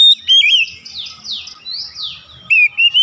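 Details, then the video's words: Oriental magpie-robin therapy song for getting the bird to open its beak: short bright whistles at start and end, with repeated sweeping buzzy upslurred notes between. "terapi KACER cepat buka paruh"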